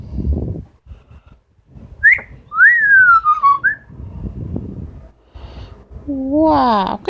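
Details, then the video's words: Female pet Amazon parrot indoors giving a rising whistle and a long descending whistle, then a wavering, nasal bleat-like call; owner's voice and brief music in the background. "The many sounds of Lily, an amazon parrot"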